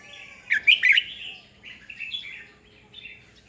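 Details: Decoy Red-whiskered bulbul singing to excite rival birds in training: a loud burst of bubbling, warbled whistles, followed by softer fluty phrases that trail off.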